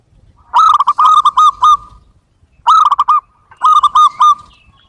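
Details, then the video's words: Zebra dove (perkutut) singing at full volume: three loud bursts of mellow cooing notes that roll and stutter quickly, each about a second long, separated by short silent gaps. "suara ocehan burung perkutut gacor full volume"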